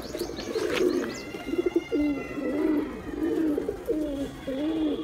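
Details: Attacking male pigeon: a steady string of low, throaty rolling coos, one after another with short breaks, over light background noise.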